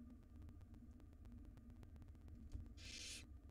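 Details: Near the end, a single harsh hiss-screech from a wild barn owl chick sounds while the mother feeds the nestlings a jird; most of the clip is low electrical hum with faint ticking.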